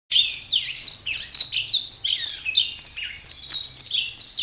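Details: Caged black-throated canary singing to invite a mate: a fast, continuous warble of high sweeping whistles and rising and falling slurs, rich and varied, with no pauses across four seconds.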